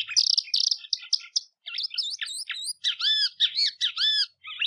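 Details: A yellow-bellied seedeater (also labelled Sporophila albogularis, golinha) sings a fast, high run of buzzy trills and sweet slurred whistles, recorded as a tutor song for training young birds.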